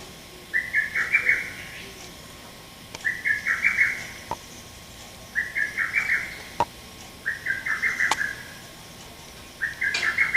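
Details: A male lesser cuckoo, recorded 30 May 2017, repeats its sharp staccato phrase, described as "tokkyo kyoka kyoku", five times. Each burst has five or six quick whistled notes, with occasional faint clicks in the background.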